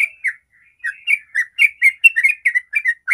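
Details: Sooty-headed bulbul singing in the rapid 'ropel' style, used as a lure to get other bulbuls singing: a quick string of short, slurred chirpy notes in bright bursts, with a pause near the start.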